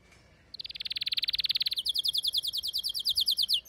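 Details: Domestic canary song, with a female calling to mate while a male sings: after a short pause, a dense rapid trill gives way to a slower chain of high, evenly spaced chirps.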